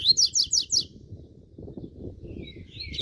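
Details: Double-collared seedeater warming up to sing, a burst of four quick repeated buzzy high notes in the first second, then a faint low background rumble and a thin descending whistle near the end.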